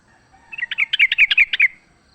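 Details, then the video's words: Sooty-headed bulbul from the wild, fighting, used as a lure: one brief burst of about ten rapid, rich chattering notes. "trucukan gacor tarung full suara ALAM LIAR AMPUH buat PANCINGAN"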